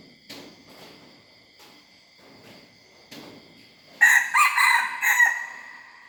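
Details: Young hybrid red junglefowl practising its crow: after quiet opening seconds, one loud, rough crow of several broken, harsh syllables lasts about a second and a half, over a steady high insect drone and faint scattered knocks.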